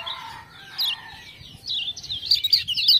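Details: Kecial kuning from Lombok, a lemon-bellied white-eye, answering ciak-ciak prompts: a lower whistled phrase first, then tumbling high twittering notes that grow louder toward the end.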